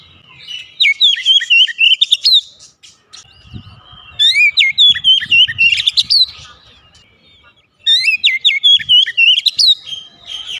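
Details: Kept Oriental magpie-robin repeating a similar lively song phrase three times, each a burst of rapid rising and falling whistles with high chips, separated by quiet gaps of about two seconds.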